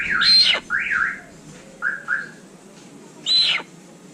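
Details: Little hornbill gives harsh, squealing calls: a loud screech, a wavering whistle, two short clipped notes, then another screech, spaced irregularly over four seconds.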